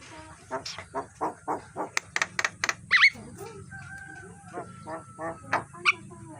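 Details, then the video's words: Morning song of a Javan myna, kept for training birds: rapid rough nasal notes repeated about twice a second, broken by a loud squeaky whistle and a few piercing high chirps. A low background hum runs throughout. "Suara jalak kebo masteran pagi hari"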